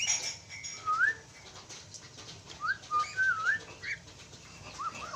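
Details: A pair of Javan mynas giving short whistled notes that slide upward and loop, spaced irregularly across the recording, with a faint high whistle at the start and a low steady background hum.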